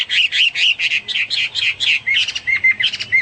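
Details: Hwamei song of rapid, full, chattering notes delivered about twice a second, changing midway into sharper, thinner whistled notes interspersed with the rich phrases.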